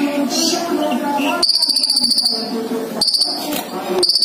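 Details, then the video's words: Caged male and female ninja sunbirds kept together, singing hard: bursts of very high rapid trilling notes lasting about a second and a half, separated by brief gaps, with a low hum underneath. "disaat kolibri ninja dicampur jantan dan betina jadi gila gacor nya"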